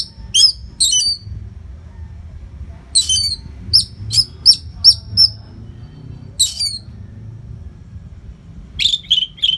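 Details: Orange-headed thrush singing continuously for training fighter birds; short sharp high notes repeated in quick pairs and series, then a warbled phrase at the end, with steady low background rumble.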